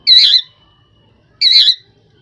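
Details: Rose-ringed parakeet uttering two loud, grating, slightly wavering screeches about a second and a half apart.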